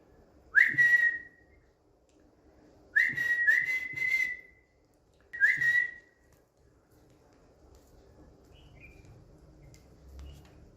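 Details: A pet Indian green ringneck parrot on a bed whistles three times at roughly two-second gaps, each a steady pure note with an upward start, then low room noise.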